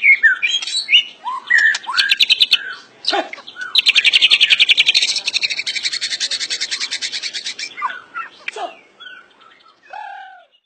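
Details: White-rumped shama singing a varied phrase: scattered slurred whistles and sharp notes, then a long, steady buzzy rattle lasting about four seconds, closing with more downslurred whistles.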